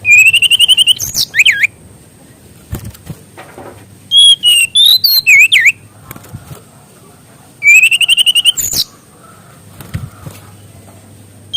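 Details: Mangrove whistler singing, kept as master song for teaching young birds; three loud bursts of rapid, looping whistled notes, each about a second long, with quiet gaps and soft low background hum between.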